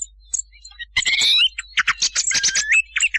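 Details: Thrush voice used as a night-time hunting lure: a quiet start, then bursts of harsh chattering notes mixed with clear rising whistles and quick high twitters, all close and loud.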